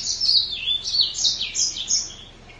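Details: Mozambique canary pouring out a dense, high twittering song of looping, rising and falling whistled notes, steady for about two seconds before fading.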